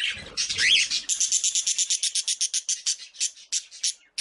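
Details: Breeding colony of budgerigars: a squeak and mixed chatter, then a fast run of short buzzy chirps, about three per second.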